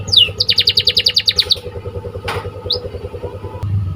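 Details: Canary training song: quick run of repeated chirping notes for about a second, a brief scratchy burst, then a single upswept whistle, with low rumbling engine-like noise beneath.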